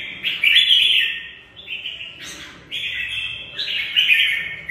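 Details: Caged red-whiskered bulbul of the Mộc bộ type in fighting song, bright warbled phrases held between 2 and 4 thousand cycles, a few overlapping notes from about half a second on, short breaks between bursts, quiet background.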